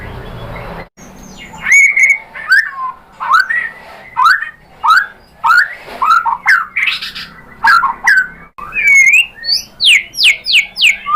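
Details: Lure song of a white-rumped shama, played to make a caged bird reply: a long series of loud whistled phrases, each swooping up or down, ending in quick high sweeping notes.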